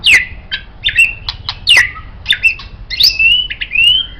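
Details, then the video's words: White-rumped shama song used as a master tutor for songbirds: sharp downward whistles and clicks, then longer smooth rising and level whistled notes. "MURAI BATU Ini Sangat Cocok Dijadikan Masteran Burung Kicau"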